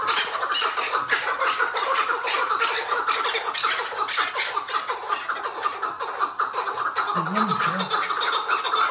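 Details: Tethered Chukar partridge calling in the hıngırma style, with rough rattling pulses in quick succession. A short low wavering sound appears near the end.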